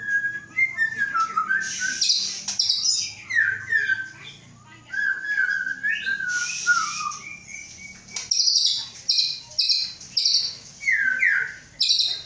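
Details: Captive white-rumped shama from Aceh, a male of the Samurai CBF line with a Gayo Lues hen parent, hatched 23 August 2012, being readied for a breeding cage; rich whistled song with falling notes around mid pitch and bursts of high buzzy trills.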